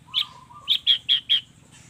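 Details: Long-tailed shrike song with a mimicked fill: two low level whistles, then a quick run of four loud, sharp, ringing chips.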